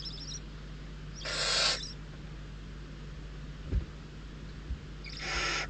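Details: Hungry barn owl chicks fight over prey brought by an adult at the nest entrance, Riet Vell Nature Reserve, Ebro Delta. Two harsh, rasping hiss bursts come about four seconds apart over a steady low electrical hum and a faint click.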